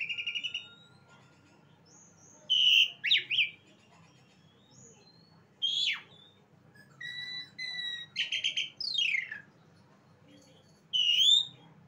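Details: Asian pied starling, known locally as jalak suren, giving scattered phrases with long gaps: clear whistles, harsh downslurred notes, short buzzy chatter and a closing rising whistle against a quiet low hum.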